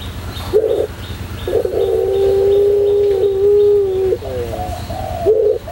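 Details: White puter pelung dove singing, used as a tutor recording for training birds: a long, steady, low hooting coo held for about two and a half seconds, framed by shorter coos before and after, over a low background hum.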